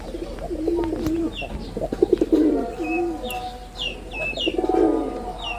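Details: Male red-bordered wild pigeon in a performance display, giving low rolling coos in several bouts, with scattered short high chirps from other birds and a faint background hum.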